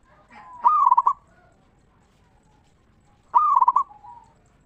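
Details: Local zebra dove in ngeristal song, used as a lure to make other zebra doves sing: two loud, bubbling, rapidly broken cooing phrases roughly three seconds apart, with faint soft notes around them.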